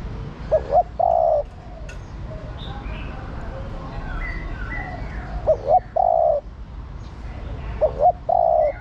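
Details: Female spotted dove calling to the male, cooing all day. Three low phrases come a few seconds apart, each two brief hoots and a longer steady croon, over background whistles of other birds.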